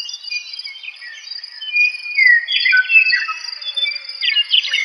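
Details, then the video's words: A meadowlark sings in clear, gurgling, slurred whistles that slide up and down, with overlapping warbled phrases above a steady high insect-like hiss. "Meadowlarks Sound"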